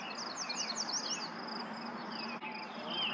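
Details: Yellow warbler song at Lauritzen Gardens, Douglas County, Nebraska, May 28th, 2024: a quick run of bright, high, sweet slurred notes in the opening second, followed by fainter notes, with a constant insect buzz behind.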